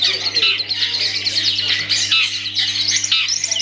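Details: Kept long-tailed shrike performing, a continuous dense stream of scratchy, chattering high notes with quick twittering phrases, barely pausing, over a steady low electrical hum.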